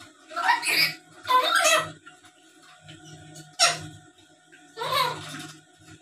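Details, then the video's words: Harsh, noisy squawks from a black-capped lory known for talking and chattering, meant to provoke rival birds into answering. Four rough, broadband bursts with a faint low hum underneath. "Suara Asli Burung Nuri Paltem Gacor Pintar Ngomong dan Ngoceh² Buat Pancingan"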